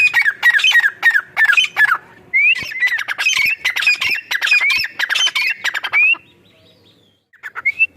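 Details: Female francolin voice used for hunting in Punjab, Pakistan: a run of harsh raspy squawks with rising whistled slurs for about six seconds, then quiet before a final short rising call.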